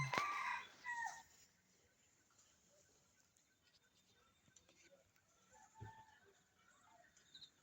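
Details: On a cold, still-dark winter morning, a wild red junglefowl gives one short, rough crow at the start, then quiet follows with soft distant bird notes. Two or three junglefowl are answering one another nearby.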